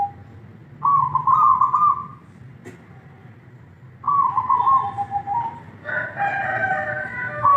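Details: Zebra dove (perkutut) manggung: two rolling, trilled coo phrases with a quiet gap between them, then a loud, harsh crowing call from another bird near the end.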